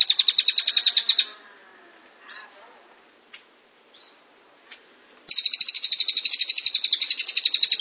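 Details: Cililin's rolling ngrol song: a quick high pulsed trill, a gap with a few faint chips, then a longer, steady trill of rapid notes.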